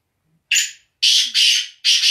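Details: Black francolin, known locally as kala teetar, giving a harsh, grating call of four loud, raspy bursts. The first burst is separated by a short pause, and the other three come in quick succession.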